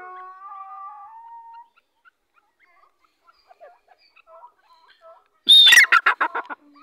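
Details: Grey francolin, known locally as teetar, calling. Faint scattered notes and a few soft drawn-out whistles open the recording, then a sudden loud burst of harsh, rapid repeated notes closes it, about six in quick succession, fading toward the end.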